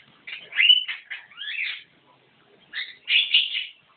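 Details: Javan myna song of rasping, chattering phrases with squeaky slurred notes, one burst of notes, a brief pause, then a second scratchy volley.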